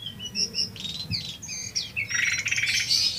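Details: Lesser shortwing (Brachypteryx leucophris), song: master song for training other songbirds.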